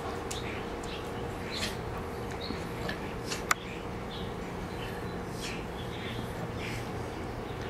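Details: Common starlings gathering in liquidambar trees, possibly for mating season, keep up a faint, steady chatter of short whistles and chirps over a low hum, with one sharp click partway through.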